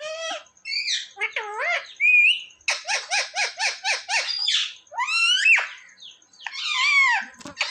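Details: Indoor pet parrot known for saying mummy and papa; wavy speech-like syllables, then a fast run of about eight even, repeated notes, followed by bent squawky phrases, with a thin steady high tone throughout.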